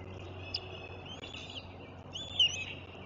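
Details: Bald eagle at its nest, recorded 7 April 2024: thin, high, whistled chirps, some slurred and slightly rising, given in short bursts over a steady low hum.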